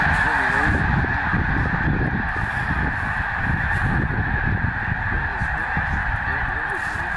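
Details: Cranes taking off together in the morning after spending the night on the water, heading off to find food, at Bosque del Apache National Wildlife Refuge along the Rio Grande in southern New Mexico; a dense, continuous chorus of calls with low rumbling beneath.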